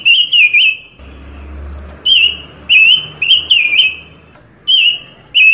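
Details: Panca Warna bird in lively song used as a master recording and trapping lure; clear warbling whistles with quick twisting inflections come in short phrases, and a low rumble is heard during one pause.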